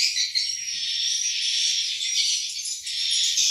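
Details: Swiftlets inside a swiftlet house during the breeding season, with many nests holding eggs and chicks; a dense, continuous high chirping and twittering chorus with no pauses.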